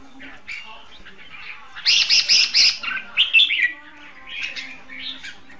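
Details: Red-whiskered bulbul kept as a caged decoy for trapping, its quarry far away: soft murmuring notes, then a loud burst of several bright, rapid chirping phrases, then quieter warbles.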